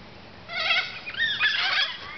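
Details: White and black cockatoos going to roost in Dalkeith around 6 pm give harsh, raucous screeches, one drawn-out squawk then a rougher, wavering cry over about a second and a half.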